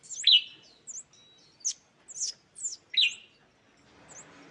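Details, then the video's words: Scarlet-backed flowerpecker lure recording: sharp, high downslurred chips alternating with very high thin ticks and short twittering notes, spaced irregularly about every half second, with a soft rustling hiss near the end. "Suara Pancing Burung Cabean merah"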